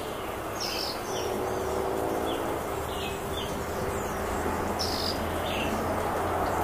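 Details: Female Violaceous euphonia calling insistently in countryside farmland, giving brief high, sharp chip-like notes several times a second in loose clusters, some slightly falling, set against a constant hiss of background noise.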